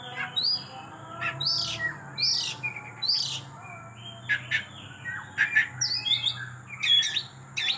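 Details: Oriental magpie-robin in 'kejang' style showing off its repertoire, with bright upslurred whistles and clipped chirps in quick phrases separated by short pauses, against a faint background hum.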